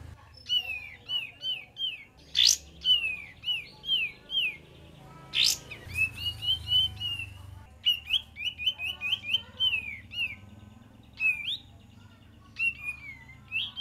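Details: Kapas tembak bird song used as a lure, a rapid series of short, bright whistled phrases, each dipping and rising, repeated almost continuously with brief pauses, plus a few sharp chirps and faint low background noise.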